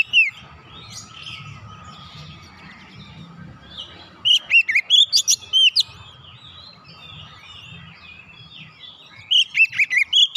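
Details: Oriental magpie-robin song used to get a quiet bird singing again: a loud burst of rich swooping whistles after a noisy lull, with soft warbling and a final burst of bright notes.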